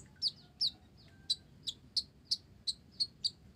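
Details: Olive-backed sunbird in full voice, its song laced with Java sparrow phrases: thin, high, slightly falling chips repeated roughly every third of a second, quiet and clean.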